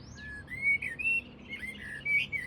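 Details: A bold common blackbird sings at Flowersbrook, Isle of Wight, at about 7:30 am on 20 April, giving a run of clear, fluty whistled phrases that rise and fall in quick succession; a blackcap also sings in the background.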